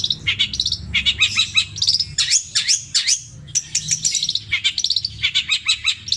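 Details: Long-tailed shrike from Situbondo, Java, singing a long, repeated mimicry song in the 'petir KW' style with imitations of tengkek buto, kuntilanak and greja calls: dense, fast bursts of sharp, high chirps and rising and falling whistled notes, with brief pauses.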